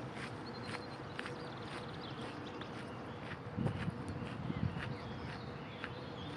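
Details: Common snipe (Gallinago gallinago) displaying in late morning from a fence post, giving a steady series of sharp, clipped ticking notes, about two per second, over a constant low rumble of distant traffic or wind.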